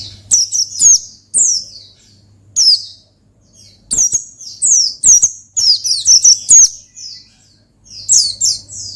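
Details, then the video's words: Oriental white-eye in vigorous ngalas song to call and provoke a rival: repeated bursts of high, thin, rapidly falling chirps, some runs of five or six notes, separated by short pauses, with a faint hum. "Gacor Ngalas Manggil Lawan Perangsang Burung Pleci"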